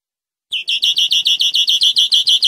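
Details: European greenfinch rolling song phrase for tutoring captive birds: after a brief silence, a steady rattle of rich, repeated notes runs for about two seconds.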